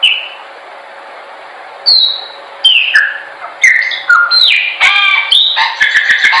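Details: Chopi blackbird training song: after nearly two seconds of quiet, a loud whistle leads into a fast, rising and falling series of clear slurred notes that grows busier and more clustered toward the end.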